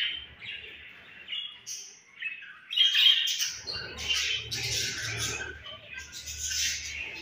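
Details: Baby budgerigar, home bred, starting with scattered short chirps, then breaking into louder harsh squawks and rapid chattering notes over about seven seconds, with a faint low rumble in the background.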